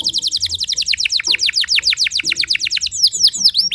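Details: Timbrado canary singing in early morning training, a steady rapid series of downward-swept whistled notes, about six per second, ending in higher forked notes.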